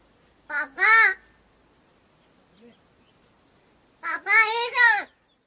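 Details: A tame crow in a forest area of Gargaon village, Wada taluka, Palghar district, that speaks Marathi like a human gives two short bursts of nasal, childlike, word-like syllables about three seconds apart; crow.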